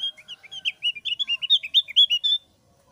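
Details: Javan grey-throated white-eye, thick-browed type, in ngeplong style mixed with ngeriwik chatter: a lively run of quick slurred whistled notes, up and down in pitch, about five per second, then silence.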